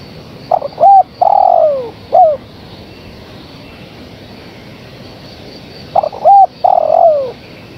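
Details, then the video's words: Female spotted dove calling to the male, giving two cooing phrases about five seconds apart, each with clipped lead-in notes, a short bent coo and a long loud coo sliding down, the first closing with a short coo. "Suara Tekukur Betina Gacor Memanggil Sang Jantan"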